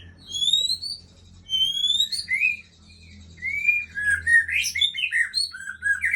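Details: White-rumped shama, an adult female, singing loud clear whistles: long rising and sliding notes with bright overtones, followed by quick chattering phrases and slurred whistles, strong and continuous.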